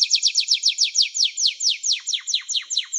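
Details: Canary singing: fast series of bright, descending whistled notes repeated about twice per second, slowing slightly toward the end, clean with no other sounds.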